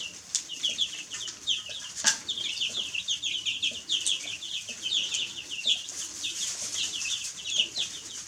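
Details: Chicks calling in a crowd, their thin descending peeps tumbling over one another without pause, one sharp knock near the two-second mark, and constant low hiss behind.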